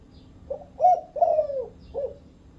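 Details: One full coo phrase from a spotted dove of the Thai vân rồng type: a soft opening note, a loud round coo, a long falling slurred coo, then a quieter final note, all low-pitched and mellow.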